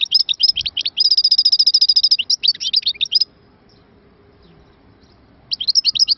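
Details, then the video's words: European goldfinch singing a fast, twittering run of high, scratchy notes with a bright buzzy trill in the middle. It falls silent for about two seconds, then resumes with more rapid twitters. "مقنين_مبدع نوطات ولا أروع"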